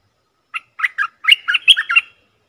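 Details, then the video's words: Bulbul call played to lure wild birds: one quick phrase of about eight bubbly, slurred notes, rising toward the end and trailing off in a thin whistle. Otherwise quiet. "Suara pikat merbah lekir"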